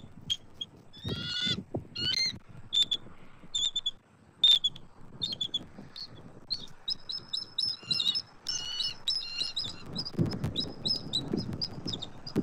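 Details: Bald eagles at a nest in Southwest Florida on 29 October 2024, during a day of food deliveries by the male to the female: rapid series of thin, high chirping and chittering notes, some in quick bursts, with low rumbling background noise.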